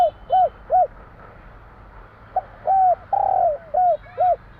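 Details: Spotted dove (tekukur), the Java 'kuk 3' song style: two short hooting coos, a gap, then a phrase of arched coos with one long, buzzy, drawn-out note in the middle.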